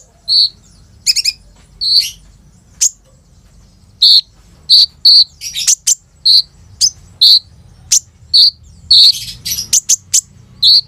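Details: Olive-backed sunbird singing full of mimicked phrases and rolls, a lure for untrained sunbirds; short bright chirps repeated roughly every half second, interspersed with sharp clicks and brief trilled bursts.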